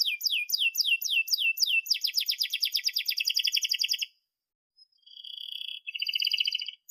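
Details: Canary singing a long, sharp song as a lesson for young canaries. Six or so repeated falling whistles run into a fast rattling roll, then a pause and a sustained buzzy trill.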